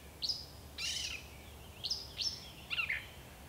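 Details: Song of a gray catbird in bush, five short varied phrases in three and a half seconds: sharp rising squeaks, a harsh scratchy burst and a mewing slurred note, with quiet gaps between.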